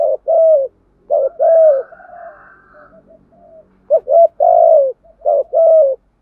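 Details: Spotted dove kept as a decoy to stir up wild birds gives three low cooing phrases, each a quick double note followed by a drawn-out coo, with faint softer coos beneath.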